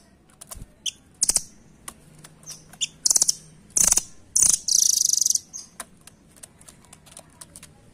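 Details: Rambatan, or velvet-fronted nuthatch, giving intermittent very high sharp notes and rattled trill bursts that culminate in a drawn-out, dense trill, amid soft scattered ticks.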